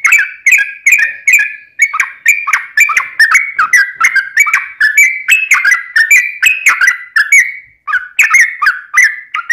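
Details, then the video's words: Yellow-vented bulbul in vigorous full song, a 'tarung ropel panjang' used to draw other bulbuls into singing: an almost unbroken run of warbling whistles, rising and falling, with one brief gap near the end. "trucukan gacor TARUNG ROPEL PANJANG buat pancingan trucukan agar bunyi"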